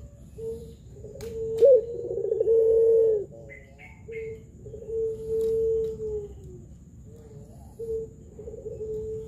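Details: Spotted dove of the pelung type, used to lure doves that are still learning to call: a low drawn-out coo with a rolling burr, then softer sustained coos, with faint high chirps from other birds and background hiss.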